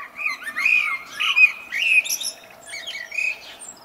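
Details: A blackbird's spring song, close and clear: a quick string of rich, slurred, fluty notes, each capped with thin, high squeaks, run together without pause.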